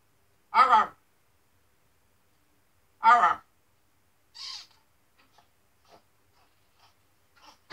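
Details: Pet macaw talking after its shower: two short, raspy, speech-like utterances about two and a half seconds apart, then a softer hiss and scattered faint clicks.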